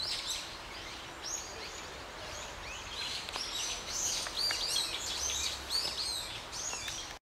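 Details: Gray starling in Ginga no Mori, Chuo-ku, Sagamihara, Japan, filmed hunting and flinging a small lizard; rapid irregular high arched chirps continue for seven seconds amid low outdoor noise and occasional clicks.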